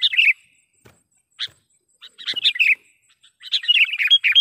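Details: Trapping lure call of a sooty-headed bulbul: an opening slurred chirp, a few scattered sharp notes, then lively, tumbling chatter of quick whistled phrases toward the end.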